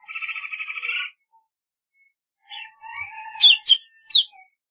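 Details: Golden-fronted leafbird: a buzzy, rapidly pulsed trill lasting about a second, then a warbled phrase and three sharp, loud downslurred whistles.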